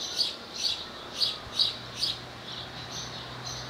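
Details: Male barn swallow singing beside its nest with a mate nearby at Skala Kallonis, Lesvos, Greece, on 10 May 2014: five high twittering chirps spaced about half a second apart, then softer trailing notes over a faint low hum.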